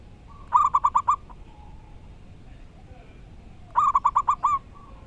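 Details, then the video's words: Local wild-type zebra dove singing loudly and clearly: two bursts, about three seconds apart, each a rapid run of six or so short, ringing coo notes at even pitch, with a quiet background between bursts. "Burung perkutut lokal alam gacor dor suara keras & lantang"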